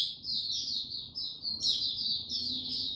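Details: White-eye, a male, singing slowly and steadily before opening into full song, 6 March 2022: a continuous stream of high, slurred chirps with a few brighter rising notes, over a faint low hum.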